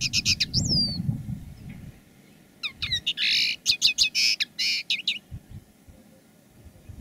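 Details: Two caged decoy common linnets singing live in two different styles: a quick burst of high twittering notes and a slurred whistle, a pause, then a rapid run of bright buzzy and twittered phrases; low rumble early on.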